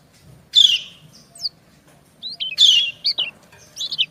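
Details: Female white-eye calling to a male, each answering the other. Two loud harsh bursts about two seconds apart, each followed by a few thin, high, slurred chirps over a quiet background.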